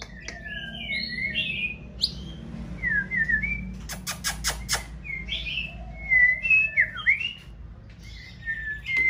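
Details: Female white-rumped shama singing during the breeding season to stimulate a male, with varied whistled phrases and swooping notes, quick chirps and rapid tweets, broken midway by four sharp tapping clicks.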